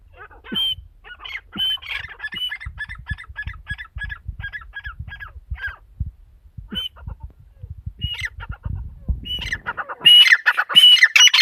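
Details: Female partridge calling: a run of short, harsh, evenly spaced notes with a faint whistled overtone, about one and a half per second, followed by a louder, denser burst of rasping calls at the end.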